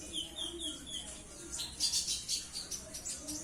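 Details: Purple-throated sunbird: a short series of clear whistled notes opens, then a busy burst of rapid, very high squeaky chirps and twitters that tapers off, all fairly quiet.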